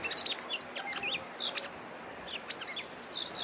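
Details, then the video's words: Orange-breasted sunbird calling: a quick, irregular series of thin, high, metallic chirps and short down-slurred notes, some overlapping, over a faint steady background hiss. "Orange-breasted Sunbird"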